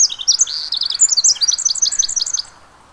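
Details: A Pacific wren at the Mamquam Spawning Channels gives a rapid, very high tinkling run of bright notes and trills pouring out for over two seconds, then stopping abruptly.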